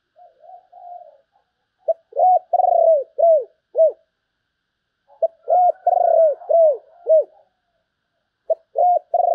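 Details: Spotted dove sấm bầu song: repeated phrases of a clipped note followed by three or four arched, low cooing notes, each phrase about three seconds apart, clean with no background.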